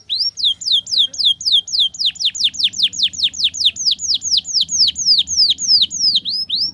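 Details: Canary tutor song for young canaries learning the ngriwik style: a loud, clear series of rapid downslurred whistled notes, about four per second, repeated evenly for the whole stretch.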